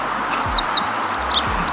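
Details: A meadow bunting (Emberiza cioides) at Himawari-no-oka Park, Ono, Kita-Harima, Hyogo, Japan, on a cloudy day with sunflowers in bloom, sings a quick, high twittering phrase of about a dozen short, slightly falling notes, with faint low thumps.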